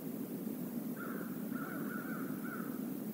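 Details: Crows visiting the stream area near the Decorah North eagle nest, 28 November 2021, live camera: a string of drawn-out, raspy caws run closely together, with a steady low rushing background.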